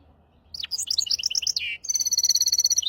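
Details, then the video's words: A hybrid finch, singing in the maestro, hafada and widani style used to tutor goldfinches and canaries, gives a descending sweep, bouncing paired twitters, a lower buzzy note, then a long, even, high rattling trill. "تغريد رهيب طائر الهجين ميسترو حفاضة ويداني لتعليم طيور الحسون والكناري بدون أخطاء"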